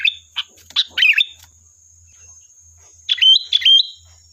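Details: Sooty-headed bulbul lure recording opening with a jumble of short chirps and notes, then after a pause two clear phrases of a chirp falling into a level whistle, backed by a steady thin hum.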